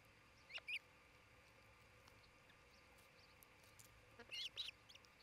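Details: Osprey at a nest near treetop homes in Charlo, Montana, on 27 June 2018 around midday, where a pair is building a new nest; two brief bursts of short, high, arched whistled chirps, separated by a long quiet gap.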